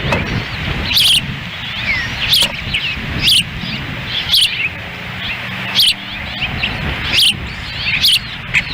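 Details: Female osprey feeding chicks at the nest in Lolo, Montana, June 10, 2017, the male nearby, on a windy day; shrill whistled chirps every second or so, some fainter, with gusts of wind throughout.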